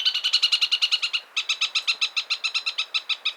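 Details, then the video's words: Chatham Islands parakeet chattering in a fast, steady series of harsh high notes, around twenty pulses in two runs separated by a short pause, clear and close. "Chatham Islands Parakeet Bird Sounds"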